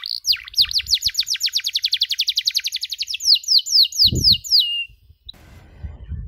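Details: Master song of a canary, meant as tutoring for young canaries learning chirps: a quick regular trill of falling whistled notes, slowing toward the end, with a brief thump and faint background noise after it stops.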